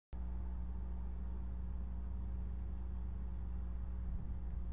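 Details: A steady low engine-like hum with droning tones runs throughout, and no animal voice can be heard.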